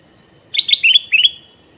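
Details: A male kutilang mas bulbul with red eyes, used as a lure for wild bulbuls, sings a lively phrase of about five quick chirps that dip and rise. A thin steady whine runs in the background.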